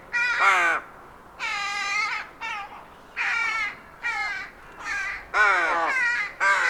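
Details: Rook (Corvus frugilegus) recorded in the wild, giving harsh, nasal caws, seven in under seven seconds, some falling in pitch, others flat and grating, against a quiet background.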